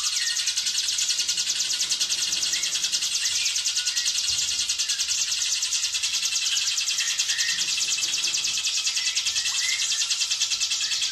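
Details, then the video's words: Hill prinia singing in the rapid, tightly packed 'ngebren' style, used as a master recording for training other birds. A continuous stream of high, buzzy notes repeats about three times a second. Softer, lower chirps from other calls run underneath. "Ciblek Gunung Gacor Ngebren Speed Rapat|Cocok Buat Masteran Burung Anda"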